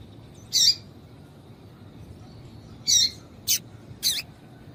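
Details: Female Double-collared seedeater calls, used to excite and attract males kept for singing contests: four short, high, harsh chips at irregular intervals, with a faint steady high tone in the background.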